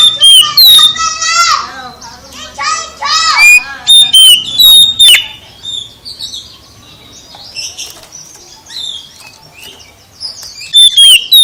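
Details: Oriental magpie-robin song mixing loud whistled notes with rapid buzzy, stacked chatter. Bursts open and close the passage, with a softer interval in the middle.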